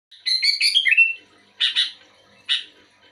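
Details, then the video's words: Sooty-headed bulbul (kutilang) singing actively in response to another bulbul. A quick warbled, slurred phrase of rising and falling notes, then two short harsh doubled chirps spaced about a second apart. "Suara burung kutilang gacor aktif merespon kutilang"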